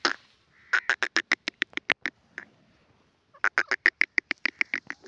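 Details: Grey francolin call used for hunting and trapping wild birds in Pakistan: two bursts of rapid, rasping notes, fast and slightly uneven, split by a short pause with one isolated note, over a quiet background.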